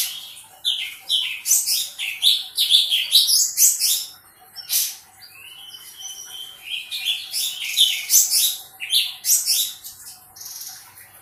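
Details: Sooty-headed bulbul singing vigorously in long flurries of sharp, bubbling, high chirps, broken by a harsh click, two level whistles and a short lull before another dense run of notes.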